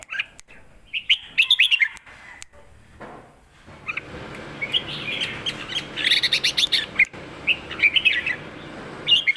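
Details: Caged Red-whiskered bulbul singing a fierce 'lak wai' style song with a full master pattern, used for teaching young birds: bright warbled and chirpy phrases, clustered bursts with short pauses, steady faint background hiss.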